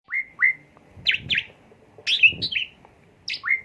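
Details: Asian pied starling song, its repertoire of fill-in phrases played as a lure to stimulate the bird: loud, high whistled notes with sharp downward slurs, given in short clusters separated by brief pauses.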